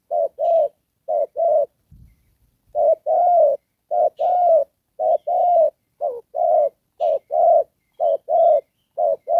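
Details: Decoy spotted dove for trapping, cooing 'đồng pha' style with 'rước' and 'kèm': repeated paired hoarse coos about once a second, broken by a short gap with a faint thud, then resuming steadily.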